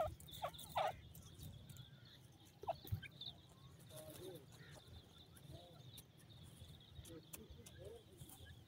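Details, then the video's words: Ring-necked pheasant sound played to pheasant chicks said to dance to it: a few short, curving clucking notes in the first three seconds, then softer scattered notes, over a steady high hum and low rumble. "Pheasant chicks dancing to the sound of the pheasant"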